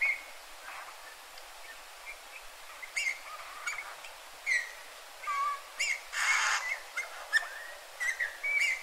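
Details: A Eurasian bullfinch in a yard in Joroinen, Finland, gives soft, piping whistled notes, some sliding downward, at irregular intervals, with a few clicks and a brief burst of rustling noise.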